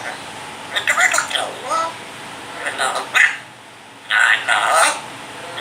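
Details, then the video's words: A grey parrot imitates human speech in several short, word-like bursts, saying Allahu akbar, Allah hoo, La ilaha illallah, kutta and mitthu beta kia hua, plus coughing, with brief pauses, in a quiet room. "grey parrot saying Allahaoakbar,Allaha hoo,Laillaha illaha,coughing,kutta,mitthu beta kia hua..."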